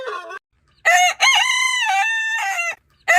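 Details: Long rooster crow lasting about two seconds, loud and ringing, with a wobbling pitch in the middle before a slight drop at the end, with crow fragments at either edge.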